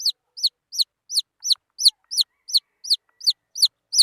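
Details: Young wild junglefowl giving loud, clear, descending peeps at an even pace of almost three per second against a silent background.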